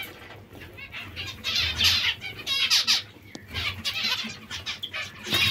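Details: Hungry zebra finches calling in a busy chorus of harsh, nasal, high chirps that come in dense bursts, with soft wing flutters and a low background hum.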